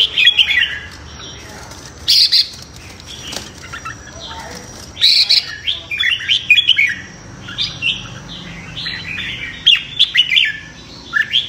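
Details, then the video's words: Competitive morning song of a red-whiskered bulbul, used for voice training and to stimulate newly caught birds. Varied chirped and whistled phrases run in bursts, with a few sharp clicks or bumps heard between them. "Chào Mào Hót Đấu - Chào Mào Hót Sáng Luyện Giọng Kích Bổi Hót Đấu Căng Lửa"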